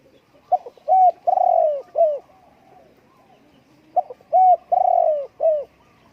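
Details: Spotted dove cooing: two low, hoarse phrases of about four notes each, a short note, two longer drawn-out coos and a closing coo. The second phrase comes about three seconds after the first, with quiet background between.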